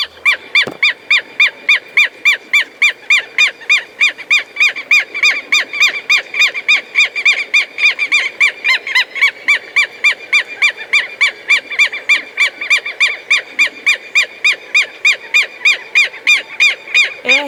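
A southern lapwing gives a steady run of loud, strident, nasal notes, about three or four each second.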